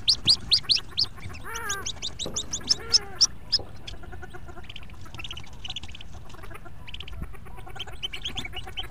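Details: High peeping from a brood of fourteen Hooded Merganser ducklings in their nest box during the April 2, 2014 exodus. Loud bursts open the recording, a lower, descending call with layered tones sounds early on, and softer peeps follow.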